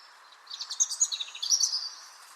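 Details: European robin singing in Ireland, a bird heard in the evening and morning: one short, high, twittering phrase of rapid thin notes lasting about a second and a half, with faint room hum behind it.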